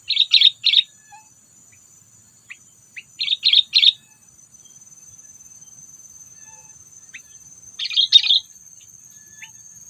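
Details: Lure call of a sooty-headed bulbul, used in bird trapping to provoke predators: clusters of quick, bright chirps in twos and threes, with faint ticking notes between clusters.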